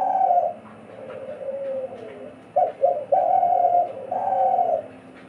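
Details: Two captive decoy doves in Bangladesh alternating calls, each one beginning when the other falls silent: deep, breathy cooing, with a sliding low note, two clipped stuttering notes, then two long, level, resonant held coos.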